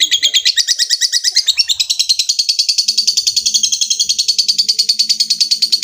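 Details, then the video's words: Lovebird in a long 'ngekek' chatter, calling out to a rival. Fast, buzzy, scratchy pulses run on without a break for several seconds at a high, even pitch. A faint low murmur sits in the background. "Suara burung lovebird ngekek panjang | Memanggil lawan"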